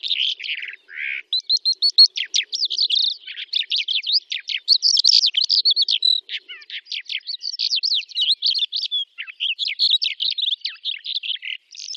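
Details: Song of a Calandra lark from the steppe near Astrakhan, Russia, May 2017, a long unbroken outpouring of fast, scratchy chirps, rattling trills and whistled slurs at high pitch, delivered almost without pause.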